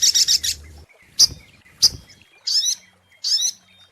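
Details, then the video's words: Sunbird lure recording, locally called sogok ontong: a short fast trill, then spaced single sharp high chips and two squeaky twittering phrases. "SUARA PIKAT mp3 BURUNG SOGOK ONTONG PALING TOKCER"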